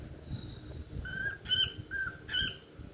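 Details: Pet cockatiel whistling a song: short clear whistled notes around mid pitch, a few held tones with rich overtones, spaced across three seconds over a low background hum.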